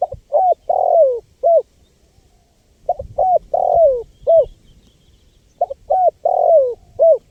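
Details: Spotted dove calling persistently, recorded as a lure for wild birds. Three matching phrases come about every two and a half seconds. Each has brief soft coos, a long downward-sliding coo and a clipped final note. The background is quiet.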